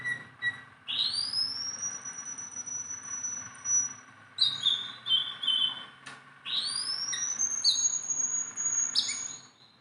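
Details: A hand-tame jongkangan, or Sunda bulbul, sings long, pure whistles that rise and then hold steady for seconds, broken by short chirpy phrases between them.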